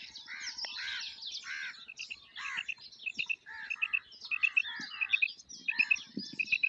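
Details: Female quail calling: paired clipped high notes repeated in quick couplets through the second half, over busy chattering and harsh notes from other birds.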